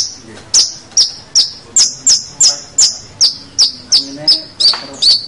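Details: Long-tailed shrike master song for training young birds: sharp high descending chips repeated steadily about every third of a second, with faint low murmuring behind.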